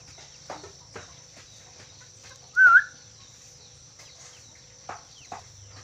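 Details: Black-capped lory producing one loud, brief wavering whistle in the middle of the recording, surrounded by quiet knocks, clicks and a constant high-pitched background hiss.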